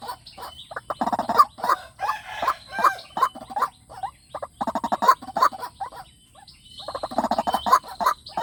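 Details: White-breasted waterhen lure call for playback to wild waterhens: bursts of dense, throaty, repeated notes in rapid runs, separated by short pauses.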